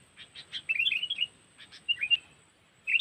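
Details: Lampung cengkeram lure for trapping sooty-headed bulbuls. A few sharp notes give way to a quick twittering phrase, then more scattered chirps and a final bright note.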